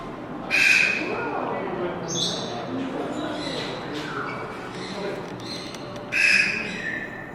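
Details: At a Japanese bird park, a captive striped owl born in 2016, perhaps calling its keeper, gives two loud, harsh, high squealing screeches about five seconds apart over the murmur of a large indoor hall.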